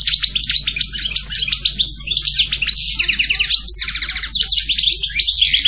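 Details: European goldfinch with a steady, rapid flow of chirpy twittering notes, rattling buzzy trills and slurred whistles throughout.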